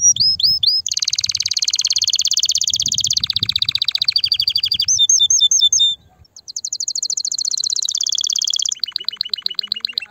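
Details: Mighty canary song meant to stimulate males and ready females for mating and nesting: a few slurred whistles lead into long dense rolling trills, a brief pause, then further high rapid trill tours.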